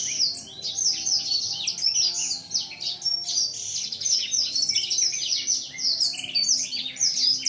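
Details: Young captive male blacksang, about seven months old with an unbroken voice, displaying with open wings toward a female; a long, unbroken, rapid chattering warble of high, jumbled notes, steady in loudness throughout.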